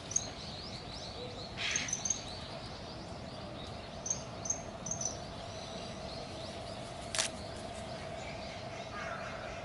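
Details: Common kingfisher, a female courting a male at Inokashira Park on 8 November 2019, chasing and edging toward him while calling: brief, thin, very high whistles, single or in quick pairs, spaced a few seconds apart over steady background hum.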